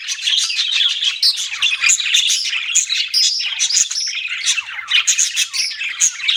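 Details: Chirping budgerigars, a lively twittering chatter with clear whistled peeps and thin high squeaks scattered through a constant scratchy warble.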